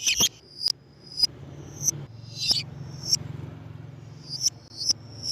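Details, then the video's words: Lovebird calls used as a lure for lovebirds: scattered sharp, high, piercing chirps spaced about half a second to a second apart, over a steady low droning hum. "MEMANCING BURUNG LOVEBIRD DENGAN SUARA BURUNG GACOR"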